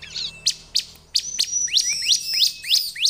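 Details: Bar-winged prinia lure-call compilation: a fast series of sharp, high chirps, about three a second, with thin whistled notes running between them.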